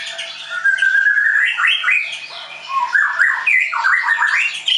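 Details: White-rumped shama, Leuser type, kept at a bird school in Tangerang, Indonesia, sings a rising sequence of whistled notes that turns into rapid varied phrases with fast stuttering trills.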